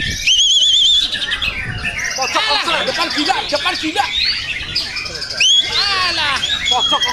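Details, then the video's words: Contest-training song of a white-rumped shama: a high wavering trill opens, followed by bursts of arched, rapidly repeated slurred notes and sharp chips, with a second wavering phrase near the end over busy background chatter. "masteran LOMBA MURAI"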